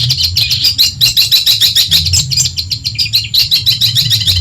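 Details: Madura long-tailed shrike, native stock, singing a training song meant to rile rival birds: rapid, harsh, scratchy high chattering pulsing about three times a second, with a low background hum.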